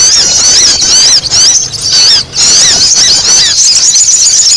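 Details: Noisy sogon calls for luring birds: shrill, squeaky twittering notes tumbling over each other at high pitch, with brief dips in the chatter partway through.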